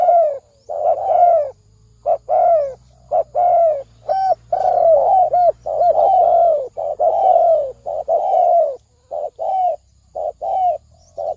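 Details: Lure recording of spotted dove coos in the thổ sấm đồng style, aimed at attracting both sexes: a long run of mellow, low coos, paired short and long notes with downward slurs, over a faint background hum.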